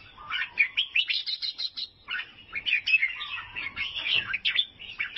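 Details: Albino sooty-headed bulbul from Vietnam giving quick, bubbly chattering notes in two lively bursts with a short pause between, bright and mid-to-high pitched.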